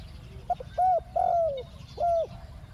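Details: Spotted dove calling as a decoy for catching wild doves: a brief soft note, then a rounded coo, a long falling drawn-out coo and a final rounded coo, low and mellow over faint background hum.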